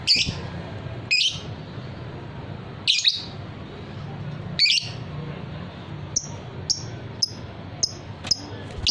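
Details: Harsh high squawks from a fighter lovebird, a hobby bird, come every second or two, then give way to a string of brief thin chirps repeated about every half second.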